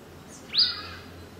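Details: African pied wagtail (Motacilla aguimp) in Gisenyi, Rwanda, March 2013, gives a single sharp, high chirp, quick and slightly buzzy, over a faint low hum of background noise.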